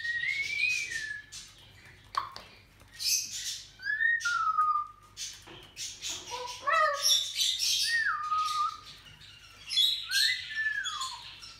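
A salmon-crested cockatoo gives harsh, ragged screeches mixed with clear whistled notes that slide downward, in irregular bursts a second or two apart.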